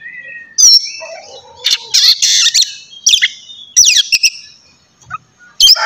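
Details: Oriental magpie-robin song for morning stimulation of a kacer; soft whistles, a low warble, then loud bursts of buzzy high phrases and downslurred chips separated by short pauses.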